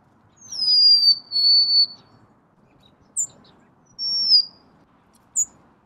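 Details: Golden-crowned sparrow singing a sweet whistled phrase that falls in steps, then a shorter repeat. Sharp high chip notes are scattered between the phrases.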